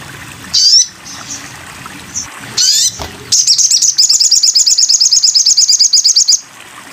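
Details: Sogon bird song for tutoring other songbirds: a few scattered harsh buzzy sweeps, then a long, rapid, evenly pulsed high trill lasting about three seconds.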